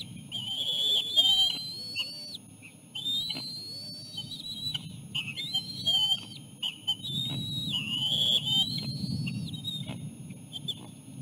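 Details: Ospreys at the nest, a male feeding a small fish to three chicks and the female arriving to take over; repeated upslurred whistled phrases with short breaks, fairly regular, against low background noise.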